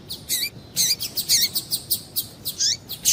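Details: Female Double-collared seedeater calling to excite a male into singing: a rapid, fairly steady run of high, thin chips, some ending in a falling slur, about four notes per second throughout.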